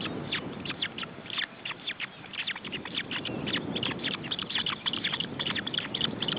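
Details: Ospreys at the nest in June 2012, young being fed, keep up dense, uneven bursts of sharp falling chirps, several per second, over a continuous background rumble.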